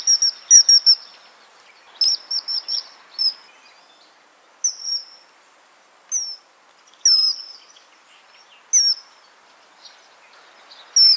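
Common Kingfisher giving shrill, high whistled notes, single or in quick doublets, repeated every second or so against faint background hiss.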